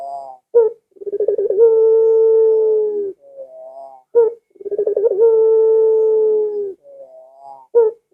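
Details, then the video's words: Barbary dove cooing, meant to make pet doves at home join in. Twice, a short sharp note precedes a rapid rolling stutter and a long, even, hollow coo. Soft rising notes fill the pauses about every four seconds. "Suara Burung Puter Ini Memikat Puter Anda Dirumah Sehingga Ikut Bunyi"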